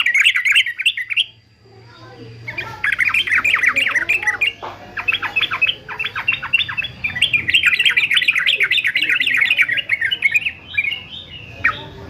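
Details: Male yellow-vented bulbul, fighter type, singing long, busy phrases of gurgling, chattering notes with brief breaks, the song pressing on for most of twelve seconds above a faint low hum.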